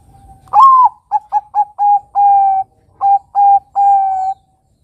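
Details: Zebra dove of the Bangkok type, singing actively; the song serves as a lure for young doves to imitate. A rising opening coo, then a quick run of short clipped notes and several longer held coos. The background is quiet.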